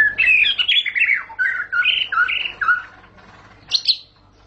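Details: White-rumped shama song: a fast run of rich whistled and slurred phrases, rising and falling between mid and high pitch, then a short pause and a final bright high note.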